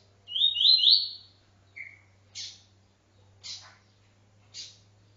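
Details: Double-collared seedeater, encarte song in TuiTui style: one phrase of rising buzzy slurred notes, then a short buzzy note and three sharp chips over a low steady hum.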